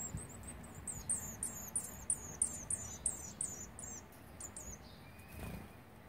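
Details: Olive-backed Sunbird chicks begging as they are fed on the twelfth day of feeding, 29 September 2019: a rapid run of about ten thin, very high squeaky notes, roughly three each second, then fading, over a low background hum.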